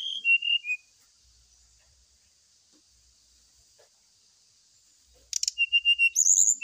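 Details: Brown-chested jungle flycatcher therapy song for a bird set out in the dew: a short run of falling whistles, a long pause, then a sharp rattle followed by repeated clear high notes and an upswept whistle.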